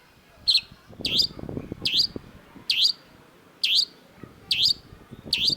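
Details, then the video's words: Long-tailed shrike (cendet) in a masteran training recording, repeating a short, harsh, V-shaped chirp about every three quarters of a second over a low background rumble. "cendet gacor MASTERAN CENDET DURASI PANJANG || Long-tailed Shrike"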